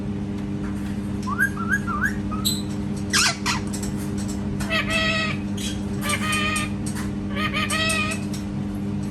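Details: Parrot copying cat sounds. A quick series of rising whistled notes comes first, then a harsh burst. Two drawn-out, harmonic meow-like calls follow against a steady background hum.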